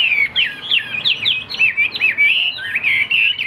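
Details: Caged tam hoàng hwamei, described as singing well, gives a dense stream of clear whistled slurs, bending up and down without pause.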